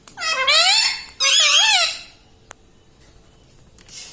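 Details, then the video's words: Talking pet parrot known for saying mummy: two long, shrill, squeaky phrases with a falling then rising inner tone. Silence follows, broken by a single click. "Parrot talking everything || mummy mithu bolta hai"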